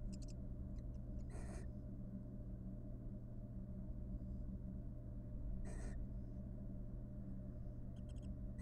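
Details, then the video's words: Wild barn owl pair courting after raising three nestlings, filmed in a monitored nest box: two broad, harsh hissing screeches about four seconds apart over a steady low electrical hum, with faint scratchy clicks between. "After raising three nestlings, the barn owl pair court and show each other love."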